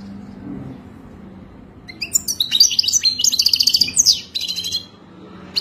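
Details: Rapid, bright twittering of a European goldfinch in the authentic Wadani style, a dense two-second trill of chirps and buzzy notes followed by a softer tail and a lone final note.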